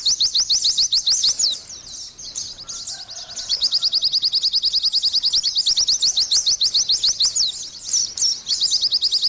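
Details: Long bouts of quick, high-pitched trilling by an Oriental white-eye, each note a thin slurred chip, with a short softer gap near the start and a squeaky flourish toward the end.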